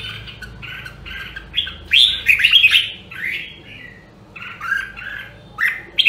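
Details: Rare Nam Dong, Hue red-whiskered bulbul in voice training: bursts of rich warbling and chattering notes, louder rapid phrase in the middle, then quieter short phrases, faint low hum behind.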